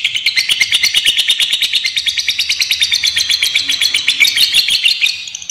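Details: Long ngekek trill from a fighter lovebird, a lure and training recording meant to draw responses from other lovebirds: dense, shrill chattering notes pulsing quickly and evenly, about three per second, without pause.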